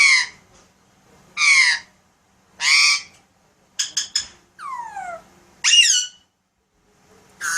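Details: Pet Alexandrine parakeet indoors, talking and doing sound effects: loud harmonic squawk-like notes in a spaced series, a rapid clicking burst, then a long smoothly descending whistle and a rising squawk; quiet room otherwise.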